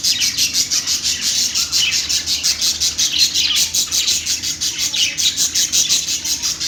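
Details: Parakeet (budgerigar) warbling steadily throughout, with dense scratchy high notes pulsing about three times a second without a break.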